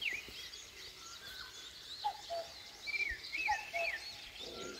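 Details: Early morning in rural Korea: a common cuckoo gives two soft two-note calls near the end, while louder high, slurred songbird phrases dominate the dawn chorus.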